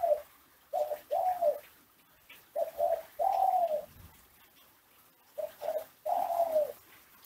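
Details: Kelantan classic song of a caged ringneck dove in Java, Indonesia, played to teach doves to coo: two short coos lead into a sustained, gently falling coo, the phrase heard three times with quiet gaps.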